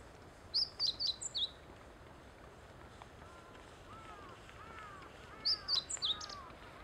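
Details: Meadow bunting singing at the Teganuma promenade, two separate bursts of four or five high, clipped notes several seconds apart, with softer, lower chirps from other birds between them.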